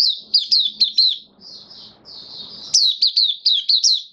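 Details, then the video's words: White-eye kept in a cage, singing "buka" style after deworming, recorded 18 May 2022; rapid bright chirps at a high pitch, about two per second, broken by a short softer warble before the fast notes resume. "Mata Puteh Kitaro buka sing"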